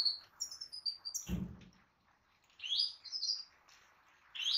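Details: European goldfinch, a kept bird, singing short bright twittering phrases of high tinkling notes separated by brief pauses, with a single low thump partway through in a quiet room.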